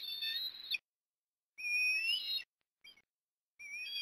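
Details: Whistled calling from an osprey at its Port Lincoln, Australia nest on an October 2021 afternoon of food deliveries: clear, high, slightly rising piping notes in phrases of about a second, with brief pauses between and one short chirp.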